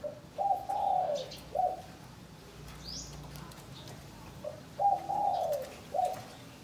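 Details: Caged spotted dove in Cần Thơ, Vietnam, during breeding pairing; two matching coo phrases, each a short note then a longer throaty coo, separated by a quiet gap with a low hum and a single high chirp.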